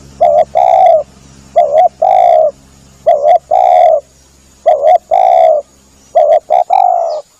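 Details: Spotted dove lure call used to draw in doves: mellow cooing phrases, each a short doubled note then a longer drawn-out coo, repeated five times over several seconds with faint background hum.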